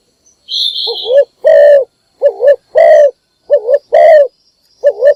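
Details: Morning coos of a spotted dove used to call other birds: a brief high twitter from another bird, then rhythmic pairs of a quavering short coo and a longer deep one, repeated several times.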